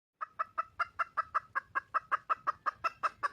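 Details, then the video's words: Wild red junglefowl hen calling for a male mate: a rapid, steady run of short, sharp clucks, about five per second, each with a bright mid-pitched ring, without pause for over three seconds. "le bruit d'une poule sauvage,เสียงไก่ป่าร้องหาถู่หาตัวผู้,ສຽງໄກ່ປ່າຮ້ອງຫາຄູ່ຮັກ, poj qaib qus see"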